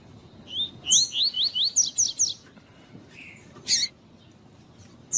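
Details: Double-collared seedeater song used to stimulate other birds to sing: a burst of short, rising, slurred high notes repeated rapidly, followed by a few sharp chips and a brief buzzy note.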